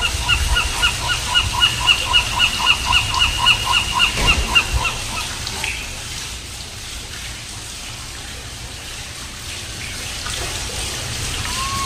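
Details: A seagull at La Jolla Cove, said to be calling his mate, gives a fast series of about twenty harsh, nasal, yelping notes over five seconds, then falls silent over faint background fountain water.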